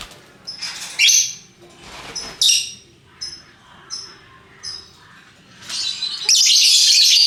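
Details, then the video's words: Lovebirds of many colours call: shrill squeaks and brief chirps repeated every second or so, then a sustained loud, rasping high chatter at the end. "Burung Lovebird Rupa Rupa Warnanya, Burung Paruh Bengkok, Bunyi Ngekek Gacor"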